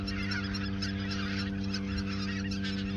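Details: Autumn 2022 flock of geese at Ochsenmoor nature reserve before migrating south; dense overlapping honks fill the whole stretch above a droning low background.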